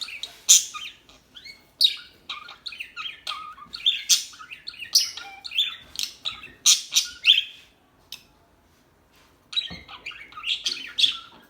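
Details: Busy chirping of small birds in dense, rapid runs of high bright chips and short twitters, a brief silence near eight seconds, then the chatter resumes.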